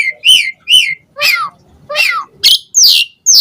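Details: Asian pied starling in vocal song with fill-in phrases, played to provoke answers from other starlings: two arched whistles, then rougher buzzy slurred notes and squeaky falling calls.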